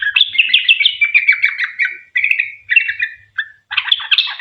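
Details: Lively sooty-headed bulbul delivering long 'ropel' song meant to lure other bulbuls into singing. Fast bubbly chatter runs for about two seconds, then breaks into short warbled bursts separated by brief pauses.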